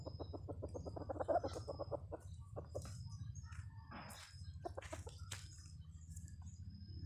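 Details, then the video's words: Red junglefowl lure call: a fast run of short, repeated clucks for about two seconds, then scattered clicks and chirps over a constant low hum. "Suara Pikat Ayam Hutan"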